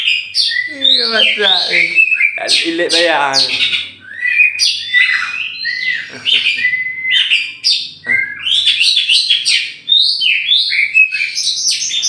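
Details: Oriental magpie-robin, a tame champion bird from Meulaboh, Aceh, released to fly loose before caging. Its song mixes harsh, nasal, stacked notes early with bright, rising and falling whistled phrases and quick chirps.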